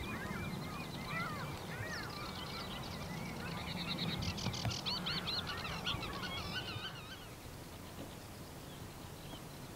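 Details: Lesser black-backed gulls (Larus fuscus graellsii) at Uitkerkse Polder, Belgium, in May 2016, give many overlapping nasal, wailing calls, rising and falling, over a steady low rumble of wind or surf.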